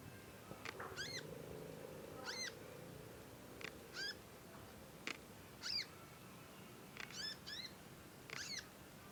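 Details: Young conin songbird learning to sing with long chattering calls, kept as a master track for training. Short bright chirps with a hooked, downward-curving shape are repeated about every second over a quiet, low hum.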